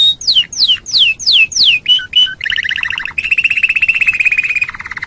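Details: Atlantic canary singing for use as a tutor recording: five loud downslurred whistles, short chirps, then a long rolling trill that drops in pitch near the end.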